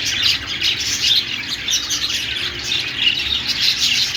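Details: Busy budgerigar warbling: many overlapping high chirps and squeaky notes blend into one unbroken chatter.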